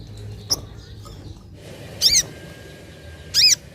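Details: Sunda pin-striped tit-babbler call used as a lure: two loud, brief, high notes with stacked downward-curving tones, spaced over a second apart, plus a faint click and low background rumble.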